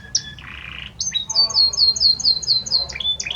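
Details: Male Belgian canary singing to its female: varied high song with a buzzy opening, then a run of about eight bright repeated downslurred notes, ending in clear whistles.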